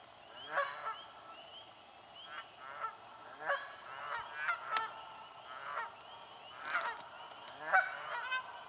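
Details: Canada geese fighting for nesting spots in a swamp honk repeatedly, with harsh, nasal, overlapping calls in irregular bursts, while faint high chirping continues behind them.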